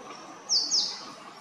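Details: Male purple sunbird calling with two quick, high, thin notes sliding downward, close and clear against faint background noise.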